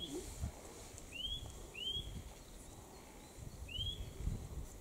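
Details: Song of a Eurasian nuthatch on Mount Kongō, where many nuthatches lived: three clear, upward-curving whistled notes, two close together and one after a pause, over quiet low rumble.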